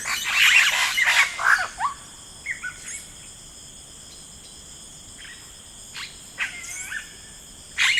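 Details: Rainforest yellow-rumped cacique: a loud burst of scratchy, crackling chatter opens, then scattered short whistled and sliding notes follow at intervals against constant high-pitched insect buzzing.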